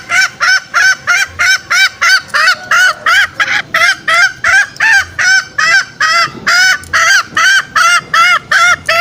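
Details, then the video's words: Lure call of green junglefowl, used by trappers setting forest snares to draw out males: evenly repeated, bright, honking notes with strong overtones, nearly three a second, clean and regular throughout. "Pikat ayam hutan hijau suara masteran dan pikat paling ampuh"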